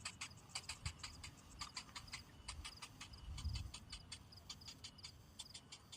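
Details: Cinnamon bittern chick, hungry and waiting for a parent that brings no food: a steady stream of short clicking ticks in quick irregular runs, with a couple of low thumps beneath.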